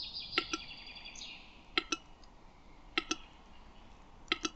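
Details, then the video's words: Lithuanian male Western capercaillie in song: a brief high hiss, then loud paired knocking clicks repeated roughly every 1.2 to 1.4 seconds. "Lietuvos paukščiai: Kurtinys"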